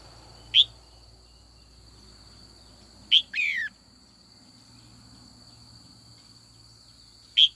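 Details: A female red-whiskered bulbul being trained in the afternoon calls to rouse old wild-caught males into song contests. Sharp isolated chips are spaced several seconds apart, one followed by a quick falling phrase, over low rustling background noise and a steady high tone.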